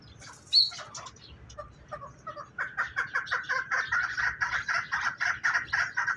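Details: Young partridges give a few scattered soft notes, then break into a steady stream of rapid, harsh chirps repeated about twice a second, growing louder toward the end.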